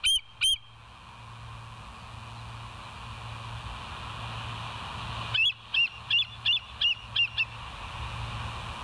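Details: Nighttime bald eagle calls from the West End nest camera, 09/11/2023 at 02:31: two loud piping notes open, a pause with background hiss, then a quick string of six or seven high, bright chirps.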